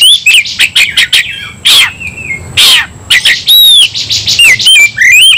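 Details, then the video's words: Agitated Oriental magpie-robin in a persistent fighting song; clear rising and falling whistles mixed with harsh scratchy bursts and quick clicks, delivered loudly in uneven rapid phrases. "kacer langsung KONSLET tarung ngotot full emotional"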